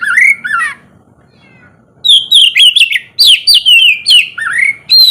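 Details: An oriental magpie-robin gives morning ngeplong song to coax quiet birds into singing. It opens with two low rising whistles, then after a pause pours out a fast sequence of bright downslurred notes and trills.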